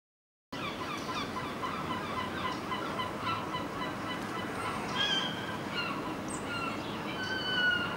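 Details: Red-legged partridge calling in the early morning at Alvor in Portugal's Algarve, recorded while digiscoping: rapid, harsh chuffing notes repeated steadily throughout, with a few thin high whistles from other birds above.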